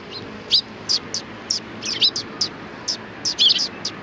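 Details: At a Tenmangu shrine in Japan on 1 March 2020, sparrows utter brisk, high chirps about every half second, some doubled and twittery, over quiet ambient noise.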